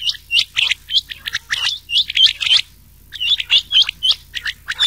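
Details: Rain quail calls mixed with old quail voices, made for night-time quail hunting in summer: bursts of sharp, high, metallic double notes in quick runs, with a pause in the middle and no other sounds.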